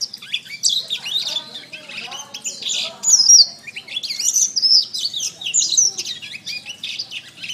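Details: Canary song used as a training recording for cage birds: a fast, continuous high warble of sweeping whistles and trills, with louder bursts near the middle and a faint low hum beneath.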